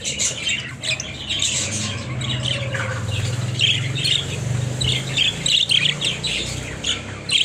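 Budgerigars squawk and chatter loudly in quick, scratchy bursts over a low indoor hum.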